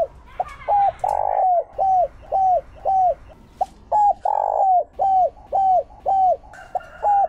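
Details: Decoy spotted dove calling in the Chiêu Ba Hậu style, used to lure wild doves: a steady run of short mellow coos, each bending down at the end, with a longer buzzy coo twice in the sequence.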